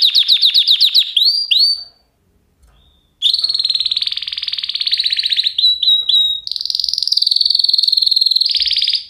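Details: Canary song with a fast trill of repeated notes, a brief pause, then long buzzy rolling tours held on one pitch, broken by short whistled notes; ends in another sustained rolling trill.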